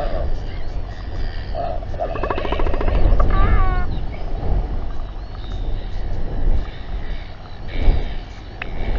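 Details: Royal albatrosses gathering and fighting at a New Zealand nesting site on a January 2021 evening; a rapid stuttering series of pulses runs into drawn-out bending harmonic cries, with loud wind roaring throughout.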